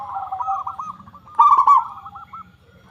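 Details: A local zebra dove singing as a lure for other doves. A run of soft rolling coos swells into one louder, rapidly stuttered phrase, then trails off, with a low hum underneath.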